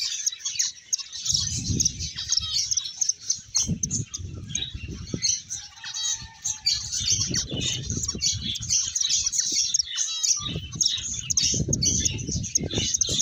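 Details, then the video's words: A group of finches keeps up steady high-pitched chatter, many small overlapping chirps and trills, accompanied by repeated low fluttering and bumping sounds between calls. "Cute Finches Chirping Sounds"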